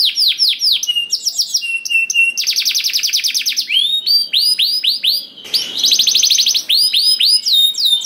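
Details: Singing canary used as a lure for other canaries: repeated curved whistles, bursts of fast buzzy trills, flat piping notes and high chips, shifting phrase to phrase with barely a pause.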